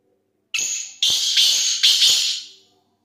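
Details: Kala teetar, the black francolin, calling a single loud phrase: one brief harsh note followed by three strident, scratchy, buzzy syllables in quick succession, tailing off softly, over a near-silent background.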